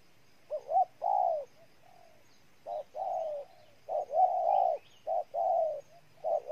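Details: Cooing of a spotted dove in Ninh Thuận, Vietnam: repeated low phrases, each a quick note or two before a drawn-out mellow coo that tapers downward. About five phrases come in uneven succession against a quiet background.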